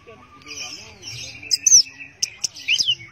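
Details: Orange-headed thrush in teler song: after a quiet start with faint low droning tones, sharp high whistles and slurred downward notes burst out in short flurries during the second half.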